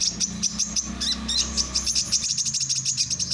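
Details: Continuous fast, high-pitched twittering from a male brown-throated sunbird: sharp chirps repeated several times a second without a break, with a faint low background hum.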